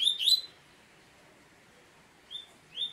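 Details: Double-collared seedeater giving a short burst of high, buzzy chirps, then a pause and two brief rising notes near the end, over a quiet background.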